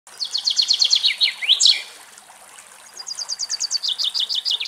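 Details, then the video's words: Common chaffinch singing in Greek nature; two bright song phrases, each a rapid run of repeated descending notes accelerating into a sharp terminal flourish, separated by a brief pause. "Σπίνος Σπίνοι Κελάηδημα - Common chaffinch best song"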